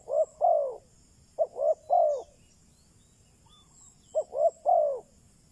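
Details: Decoy spotted dove calling for wild doves: three cooing phrases, each two quick soft notes leading into a longer downslurred coo, separated by gaps of about a second and a half, backed by faint high twitters.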